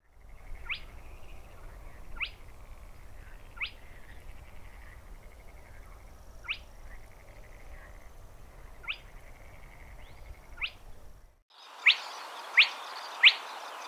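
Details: A spotted crake, recorded in Córdoba, gives sharp, rising whiplash notes roughly every one to two seconds over a low rumble; louder, closer notes follow at the end.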